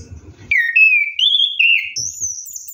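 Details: Orange-headed thrush, bathing at night, gives one drawn-out ngeroll phrase of clear whistles that step up through several pitches, ending in a high sweet note, with faint splashing at the start.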